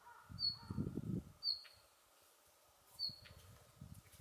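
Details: Male Siberian bluechat calling on 10 December 2019: three brief, high, piercing whistled notes at uneven gaps, with low rustling and rumbling noise underneath early on.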